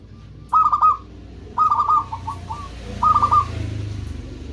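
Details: Local zebra dove singing to attract rivals and companions: three brief bursts of stuttering, even-pitched coos, one trailing into softer notes, against a constant hiss and low background rumble.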